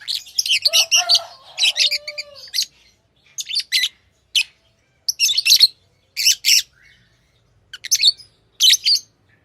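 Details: Chattering of tamed lovebirds: dense, piercing chirp bursts, with a drawn-out lower whistled squeal early on, then rapid separate chirps every half second or so. A quiet background otherwise.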